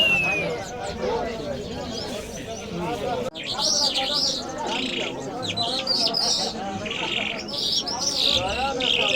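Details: Iranian lark, known locally as jal, of the Mashhadi type. After about three seconds of quiet background murmur, a loud burst of high, warbling, up-and-down whistled song begins and carries on to the end.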